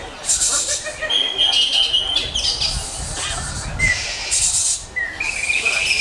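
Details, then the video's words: Greater green leafbird singing a rich, varied song: long thin whistled notes mixed with harsh, buzzy high bursts, a bright rising whistle near the end, over a low background murmur. "Lagu Mewah Cucak Hijau"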